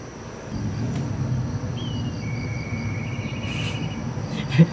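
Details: Black kite calling from a rooftop, seen from a window on 9 December 2023 and filmed with a Sony A6700 and 200-600mm lens. A thin whistle rises briefly, then holds level for nearly two seconds over a low rumble.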